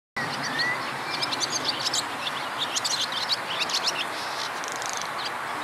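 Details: Barn swallow (Hirundo rustica), call.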